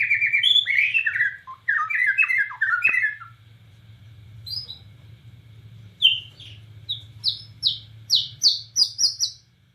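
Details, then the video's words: White-rumped shama from Borneo in full 'nembak cililin' song: a fast jumble of rich warbled notes, a brief pause, then a run of evenly spaced, sharply rising whistles, with a steady low hum behind. "SUARA BURUNG | Murai Batu Borneo Gacor Nembak Cililin"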